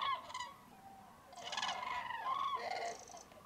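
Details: Mass roost of common cranes, mid-January, Tablas de Daimiel National Park, Spain, at foggy daybreak; busy overlapping bugles and rolling trumpet notes from many birds, with greylag geese and common teal sharing the wetland.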